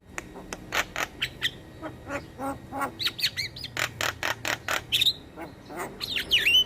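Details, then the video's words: Javan myna song, a lure for mynas and starlings. A steady series of dry clicking and rasping notes is broken by a few sharp, whistled phrases that bend downward. "PAncingan Semua Jenis Burung Jalak dengan Ocehan Jalak Kebo Masteran"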